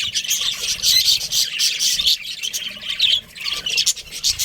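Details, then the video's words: A lively stream of budgerigar chirping: high, gritty twitters and squeaks tumble together almost without a break. "Cute Budgies Chirping Sounds"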